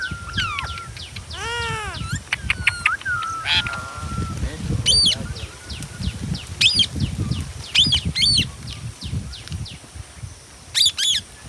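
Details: Ringneck parrot producing rising and falling screechy calls and a drawn whistle, then a run of sharp high squawks, against a constant rustling, murmuring background.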